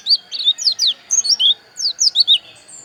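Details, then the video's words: Javan white-eye of the dakun kind from Pupuan, Bali, giving loud rapid phrases of high, slurred chirps and twitters in two quick bursts, with a thin steady whine in the background. "Suara Pleci Dakun Bali Pupuan"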